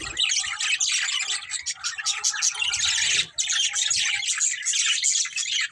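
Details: Budgerigar breeding pair chattering almost without pause, a dense stream of scratchy, buzzy chirps and warbles with only one brief break.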